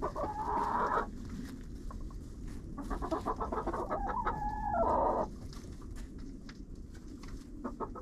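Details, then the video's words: Chickens inside a friend's coop, caught by a GoPro set in the coop: two long, strained, nasal squawks about four seconds apart, with quick clucking and tapping between them over a low rumble. "Hanging out with Chickens in a Coop"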